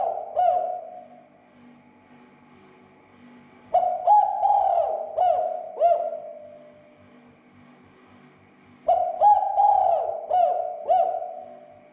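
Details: Spotted dove calling as a lure to rouse other doves: rolling series of low, mellow hoots forming phrases of four to five notes, repeated about every five seconds in a quiet setting.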